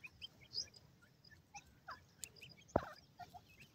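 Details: Grey francolin female with her chicks playing in an early-morning forest; soft, short chirps and peeps scattered at varied pitches, some brief downslurred notes, and one sharp click-like burst near the end.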